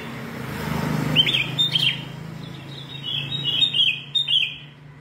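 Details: Red-whiskered bulbul with yellow vent, a caged bird in a singing contest, singing all day; short bright warbled phrases around the upper-middle pitch, a burst near one second and a longer run after three seconds, over low rumbling background noise.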